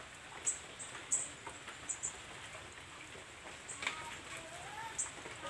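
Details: An Olive-backed Sunbird gives thin, very high squeaky notes, spaced irregularly about every half-second to second, with a faint lower whistle and a soft background hiss.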